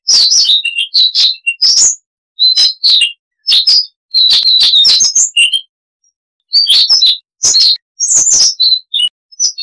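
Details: Siberian rubythroat, a small insect-eating songbird, singing a long varied chattering song: bursts of sharp high chirps and clicks mixed with short whistled notes, in phrases separated by brief pauses, with no other sounds.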